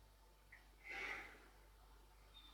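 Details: Iberian Eurasian jay, subspecies fasciatus, among the wild birds visiting Camorritos, Cercedilla, 60 km from Madrid, Spain: one hoarse, rasping screech lasting about half a second, with a faint thin whistle nearby and quiet background hiss.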